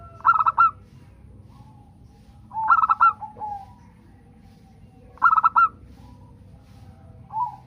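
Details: Zebra dove of the local type, recorded as a prompt to set other birds singing, gives three rhythmic cooing phrases about every two and a half seconds, each a tight burst of resonant coos with a trailing softer note.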